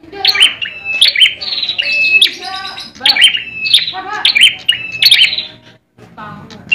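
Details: Caged bar-winged prinia, a competition bird from Indonesia, singing in fighting mode: loud buzzy chirping phrases with bright whistled notes, delivered in bursts roughly every second, with a short pause near the end.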